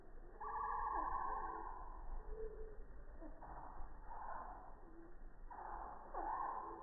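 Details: Hummingbird song slowed by 240 FPS slow-motion recording with an iPhone 6+ near a feeder on a quiet morning; a long, strong buzzy tone opens, followed by softer hoot-like notes and a second buzzy burst.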